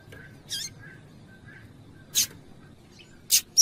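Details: Female double-collared seedeater calling to stimulate the male to sing: three sharp, high, clipped chip notes, one near the start and two close together at the end, over a faint steady hiss.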